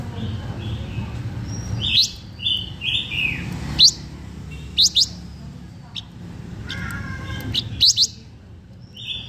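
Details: Blue-winged minla performing lure song for attracting birds: scattered short whistles and quick upslurred notes, some in pairs, amid steady low background rumble and a faint voice.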